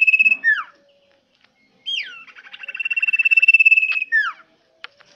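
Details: Loud, vigorous common iora song: a downward slurred whistle, then a sharp rising-falling note leading into a fast even trill of pulsed whistles that builds in volume, closing with another descending slur and a few clicks.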